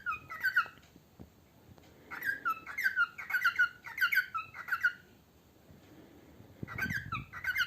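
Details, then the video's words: Pet parrot singing while eating indoors: squeaky whistled chirps in three quick bursts separated by short pauses, with faint room noise and soft eating sounds. "singing while eating"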